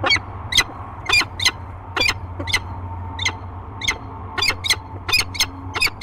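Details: Peregrine falcons meeting in their nest box at Great Spirit Bluff, 15 March 2023, give a rapid run of loud, clipped, grating chup notes, often in quick pairs, repeated throughout over a faint background hum.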